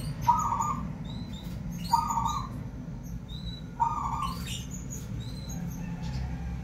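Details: Six-day-old lovebird chicks inside a nest box giving three harsh, nasal rasping calls about two seconds apart, with faint high chirps between them over a low steady background rumble.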